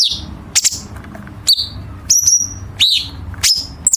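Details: Chinese bulbul training material for competition birds, with sharp, dense harsh fills: short high whistled and sliding notes in an uneven series, roughly one every half second.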